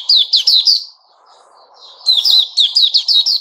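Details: Sooty-headed bulbul kept in a cage, giving quick runs of sharp, slurred chirps in two bursts separated by a brief pause, over a faint low hum.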